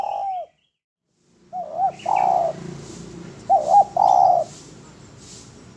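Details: Spotted dove singing in a training recording. An opening coo fades out, then after a silence come two phrases, each two short hoots and a longer level coo, against low background rumble and faint hiss.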